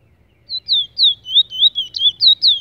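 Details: Brown Trinidad bullfinch delivering quick whistled notes that mostly slide downward, strung closely together for about two seconds, with faint low rumble underneath.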